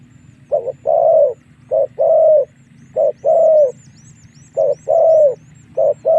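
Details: Wild spotted doves are lured to fight with this call: repeated short-then-long cooing pairs, the long coos softly falling, roughly every 1.3 seconds, with a low continuous hum and scattered thin high chirps.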